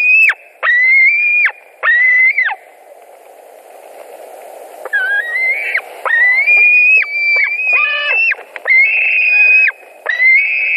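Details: At a nest in Latvia on 2 August 2020, white-tailed eagles scream during fish delivery and squabbles; drawn-out, piercing whistled whines, each roughly a second, starting and stopping abruptly, with a quiet pause midway.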